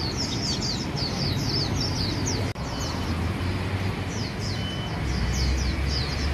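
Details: White-eye song at a bird-singing competition: rapid streams of thin, high, descending chirps run almost without pause, likely from several birds, over a steady low rumble of traffic and background noise.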